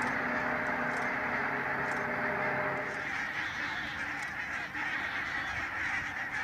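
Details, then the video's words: Large flock of barnacle geese by the Nijkerk steam pumping station in the Netherlands; a dense chattering mass of honks, with some lower tonal calls in the first three seconds before the chorus thins into a rougher murmur. "Zwerm brandganzen"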